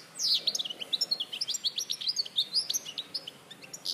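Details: European goldfinch recorded at Larache in 2014, giving a lively, unbroken phrase of quick chirps and twittering notes, evenly spaced and high-pitched.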